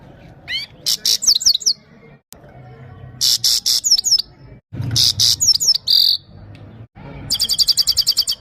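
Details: Song phrases of a Himalayan goldfinch from Parachinar, performed for a female: bursts of high buzzy downslurred notes separated by short pauses, the last phrase turning into a fast, even metallic trill; low background hum throughout.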